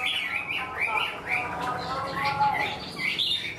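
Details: Caged wild-caught Chinese hwamei singing readily and fully, like a tame bird: repeated upslurred whistles, then a stretch of harsher, lower buzzy notes before clear whistles resume.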